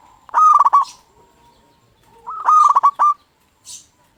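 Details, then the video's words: Lure-type local zebra dove in song meant to make other zebra doves respond: two loud rattling coo phrases of rapid pulsed notes, a soft drawn-out coo between, and a faint higher call at the end. "Perkutut Lokal Gacor RAJA PIKAT Ahlinya Bikin Semua Burung Perkutut Gacor Nyaut."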